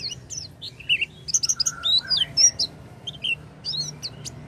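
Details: Oriental white-eye song used as a lure to get a silent white-eye singing: high, thin chirps and slurred whistles in irregular bursts, with a few lower whistled notes in the middle and a low steady hum beneath.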